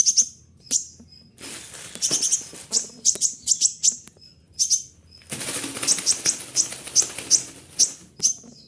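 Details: Kolibri ninja in a cage, mimicking other birds: scattered high chirps and sharp ticks, then a long stretch of repeated shrill notes mixed with noisy wing fluttering.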